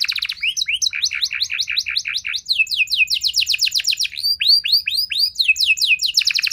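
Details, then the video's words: Singing canary, played to get other canaries responding and singing long. A rapid buzzy trill leads into a chain of swooping rising whistles, then more quick high chirps and a final fast roll. "Kenari Mana Saja Bakal Nyaut Cepat Respon Jadi Gacor Nembak Panjang"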